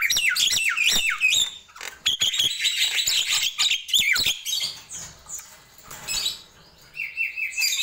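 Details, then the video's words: Morning song of a Nias hill myna: rapid high chirps and sharp whistled slurs in the first two seconds, then scattered notes and gaps, ending with a steady high whistle near the close. "Ramainya Kicau Jalak Nias di Pagi Hari"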